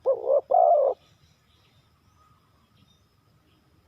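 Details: Single brief spotted dove phrase, a short coo then a longer mellow coo, followed by quiet background.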